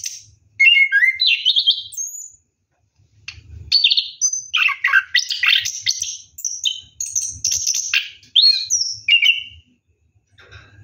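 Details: Orange-headed thrush bathing at night, delivering a rolling ngeroll song: dense bursts of high chirps, whistles and buzzy notes in quick succession, broken by a few short silences, with faint low rumbles beneath.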